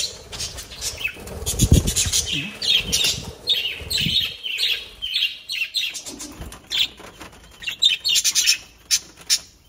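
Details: Small parrots chattering at close range, a run of short, bright chirps and warbled notes coming in quick bursts, mixed with rustling, scratching and soft wing flutters, with a deeper thump early on.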